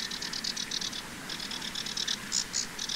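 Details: Common linnet, male and female, twittering in quick, dry, high-pitched notes, about eight per second in short bursts with a brief pause midway, faint low hum; spring, 11 April 2023, regional nature reserve in Pays de la Loire, France.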